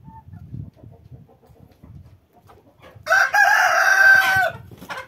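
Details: Chickens out for a walk in the snow: low murmured clucks, then a loud rooster crow of about one and a half seconds, harsh and sustained, followed by more clucking.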